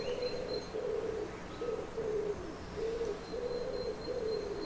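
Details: Common wood pigeon cooing in a Swedish garden in May: intense, low, hoarse, rhythmic phrases repeated steadily, with a faint high thin note from another bird.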